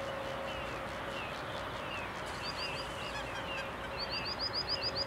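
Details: Flock of greater white-fronted geese at Udiča, Považská Bystrica, Slovakia, giving overlapping high, yelping calls, several short notes a second near the end, over a steady low hum.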